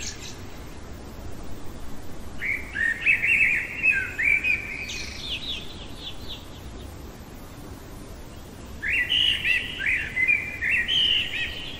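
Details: Blackbird's nocturnal song: mellow, flowing whistled phrases followed by squeaky high flourishes, one phrase early and another after a four-second gap, over steady low background noise.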